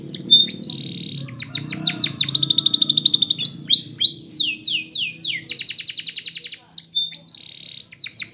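A Belgian canary sings a long, high song of fast rolling trills, buzzy runs and sweeping notes. A soft low hum runs underneath.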